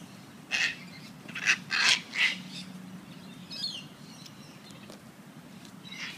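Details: Tagged sulphur-crested cockatoos playing with a coffee cup at the Royal Botanic Gardens, Sydney, with one giving four harsh, raspy screeches in quick succession, then one more later, over a low steady hum with a brief thin chirp between.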